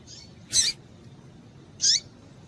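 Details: Breeding-condition female double-collared seedeater calling to excite males, giving two brief sharp chirps about a second apart, the second with a falling sweep, over low background hiss.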